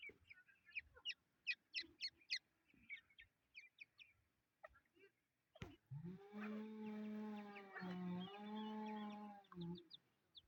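Chukar chicks give rapid, thin, high peeps in quick bursts. A loud, low, droning voice-like sound holds steady for about four seconds and drowns them out.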